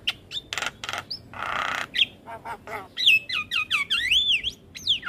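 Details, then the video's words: Javan myna song for coaching young mynas: harsh clicks and a rasping buzz, then a run of clear whistled notes sliding down and up, repeated rapidly. "Jalak Kebo Gacor Coba Ini Untuk Melatih Jalak Muda Jadi Gacor"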